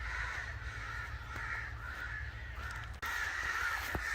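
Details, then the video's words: Harsh, grating caws from angry crows pile up into a constant noisy chorus, briefly broken by a sharp click near the end. "Crow Sounds | Angry Crow Sounds | Crow call"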